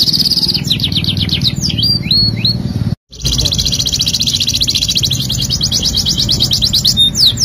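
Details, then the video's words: Canary singing a tutor song for training other birds, starting with quick high rising-and-falling whistled sweeps, a brief break, then a long, rapid, even high trill, over a steady low background hum. "MASTERAN KENARI GACOR | CANARY SINGING"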